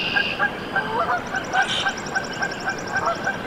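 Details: Newly hatched Canada goose goslings in a nest, Decorah, Iowa, USA, 14 April 2024: rapid, uneven high peeping notes while another bird's fast trill runs through the background.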